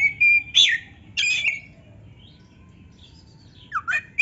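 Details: Oriental magpie-robin (kacer) in lively 'gacor' song, played as a rival's voice to rouse lazy caged birds: three loud, short whistled bursts with sharp upper notes, a long quiet gap, then a few falling and rising whistles at the end.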